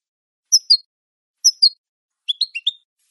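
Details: European goldfinch from a recording meant for training captive birds: two paired high chirps, followed by a quick group of four lower twittering notes, on a silent background.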